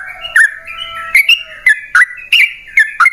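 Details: Yellow-vented bulbul lure song to prompt caged trucukan to reply: short warbled notes with dipping, slurred tones spaced by brief pauses, over faint sustained whistled tones in the background.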